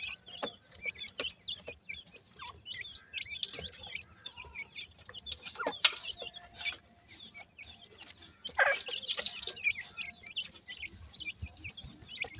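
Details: Chicks of the grey francolin peeping continuously: many high, thin, short chirps in an irregular chorus, with occasional louder bursts and handling noises.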